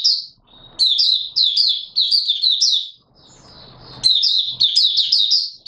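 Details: Oriental white-eye singing, recorded 24 March 2022: high, thin twittering phrases of rapid chirps that rise and fall, delivered in bursts of about a second with short pauses and soft background rustling.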